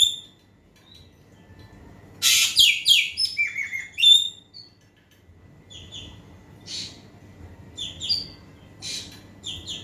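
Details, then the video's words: Asian pied starling song used to get a reluctant bird to sing, opening with a dense run of harsh chattering notes and a loud whistle, then softer scattered chirps. "KICAU BURUNG EKEK KELING YG SANGAT GACOR SUARA CETAR"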